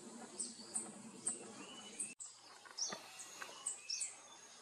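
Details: Speckled piculet recorded 21 April 2022 at a bird campsite in the Western Ghats, India: very high, sharp, short notes repeated about once a second, with softer mid-pitched whistles and a steady background hiss.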